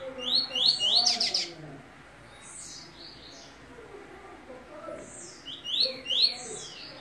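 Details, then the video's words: Caged double-collared seedeater coming out of moult, singing loud, fast high upslurred whistled notes in bursts at the start and near the end, with quieter chirps between and faint background noise. "COLEIRO SEDEX SAINDO DE MUDA"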